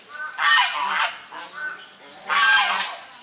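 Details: Domestic swan geese among grey domestic geese while drying themselves; two loud, blaring honks about two seconds apart, each rasping and broad, with softer honking between them.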